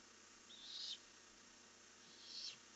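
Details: Barn owl at night on 1 July 2015, recorded by a nest camera as the owls fly off into the night: two harsh, hissing screeches, each under half a second, about one and a half seconds apart, over steady background hum.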